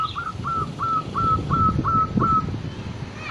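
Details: Zebra dove, the local perkutut, a female calling the male: a rapid run of about eight short, clear tonal notes on one pitch, each slightly rising and then held, at a steady pace. Low rumbling background noise throughout.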